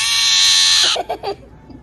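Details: Angry young Steller's jay, fallen out of its nest and rescued, gives a loud, grating, noisy screech lasting about a second, followed by a few short, lower, nasal notes.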